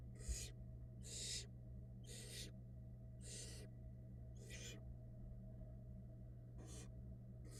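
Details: Barn owl nestlings at a nest box in Florida, fed by the female: harsh, breathy rasping hisses, seven bursts spaced about a second apart with a gap near the end, over a steady low electrical hum.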